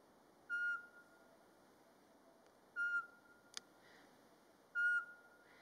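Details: Eurasian pygmy owl in Latvia in March, during the mating season, calling by day unprompted: a pure, steady whistled note repeated about every two seconds, three notes in all, with a faint click between.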